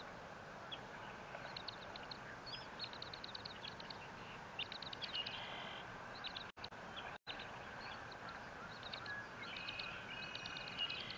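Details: Bald eagle at the Fort St. Vrain nest on 21 April 2024, live nest camera: faint rapid high staccato chittering notes in loose series, with a couple of longer whistled squeals, over continuous background hiss.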